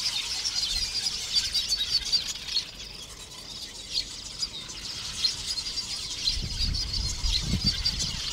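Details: Busy breeding colony of lesser masked weavers in acacia trees by water, where polygynous males hang beneath nests fanning wings and calling; a steady wash of shrill chirps and sizzling chatter, with some low knocking toward the end.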